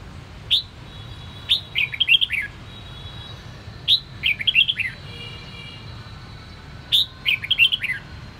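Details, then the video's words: Caged Sông Kon red-whiskered bulbul in voice training repeats a lively phrase three times, about every three seconds: a crisp rising whistle, then a rapid jumble of liquid, downslurred notes, with a faint steady hum in the background. "Luyện giọng chào mào Sông Kon"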